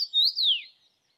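A Common Rosefinch gives one brief phrase of clear, slurred whistles that first rise and then sweep down, lasting under a second. No other sounds are heard.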